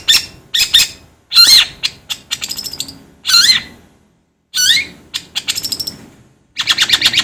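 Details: Long-tailed shrike song for training birds: loud warbled and whistled phrases mixed with rapid ticking rattles, broken by a pause of nearly a second before more squeaky notes and a closing buzzy rattle.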